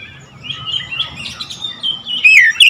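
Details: Oriental magpie-robin (kacer) singing with full variation fill-in: soft, wavering whistled phrases build to a louder, clear downslurred whistle and a final sharp note, against a faint steady low hum.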